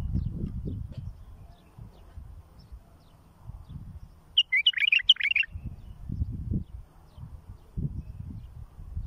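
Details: Bulbul phrase played for teaching young birds: a rapid run of bright, gurgling notes lasting just over a second in the middle, with low background rumble before and after.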